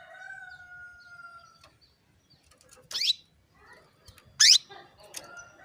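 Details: Female canary calling to make males sing: a steady whistled tone fades out, then two sharp rising chirps follow about one and a half seconds apart, amid faint clicks.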